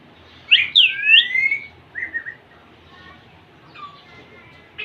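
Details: Young male Indian ringneck parakeet courting a female: a burst of bright, bending whistled chirps, one long rising-falling note, then softer short tweets and a few faint whistles.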